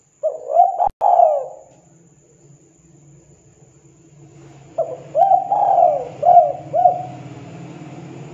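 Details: Spotted dove calling so other doves will respond: a few throaty coos with a sharp click, a stretch of low rumbling hum, then a phrase of four or five hooked coos including one long falling note.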